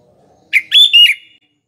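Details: Sooty-headed bulbul, a bird used as a lure for morning, afternoon and night: one short, clear phrase of a sharp note followed by two sustained, slightly falling whistled notes.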